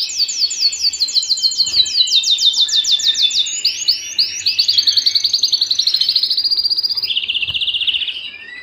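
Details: Canary at home singing a long series of rapid, very high repeated notes, first a clipped trill, then a smoother rolling trill dropping slightly in pitch, ending in a lower buzzy roll that fades out.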